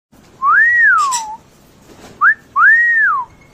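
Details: A pet African grey parrot whistles clear, pure tones that swell up and slide back down: two long arched notes around a short rising one, with a faint click between.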